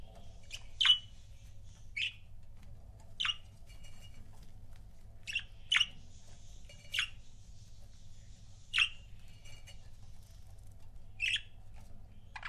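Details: Pet budgerigar couples giving single sharp, bright chirps, each a quick downward sweep, spaced about one to two seconds apart over a quiet low hum.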